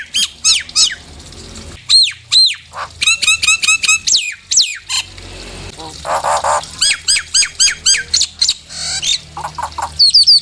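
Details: Nias hill myna calls, played as a lure to rile other birds into singing: loud, sharp whistled notes in fast series, some rising and falling, with short bursts of harsh squawks between them and a faint low hum behind.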